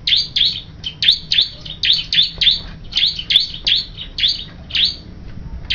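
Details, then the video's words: A bar-winged prinia singing actively gives a fast, steady run of sharp, high chirps, about two or three notes a second, over faint low background hum. "Suara Burung Ciblek Kristal Gacor"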